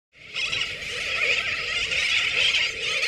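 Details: Sooty terns at Johnston Atoll on 19 June 2001: a dense, unbroken wall of many overlapping harsh, high nasal calls that swells in within the first half-second and then holds steady throughout.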